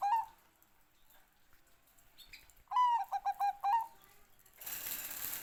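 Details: Zebra dove of the Bangkok type singing: one mid-pitched phrase opening with a slightly falling note, then a quick run of short pulsed coos, ending in a held note, followed by a burst of rushing noise.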